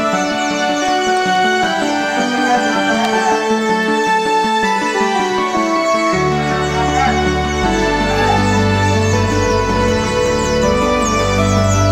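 Loud electronic music with steady beat and layered tones, no animal sound heard.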